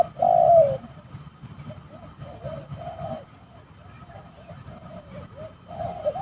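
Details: Spotted doves fighting during bird trapping at a rather eerie site: a loud drawn coo opens, then softer short coos recur at mid pitch against a low rumbling background.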